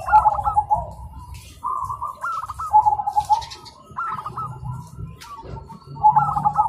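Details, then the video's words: Zebra doves calling to each other in the morning, a busy chorus: repeated phrases of rapid stuttering notes that roll into a soft drawn coo, recurring roughly every one to two seconds, with low hum beneath. "Perkutut Manggung Di Pagi Hari Saling Bersahutan Dan Ramai"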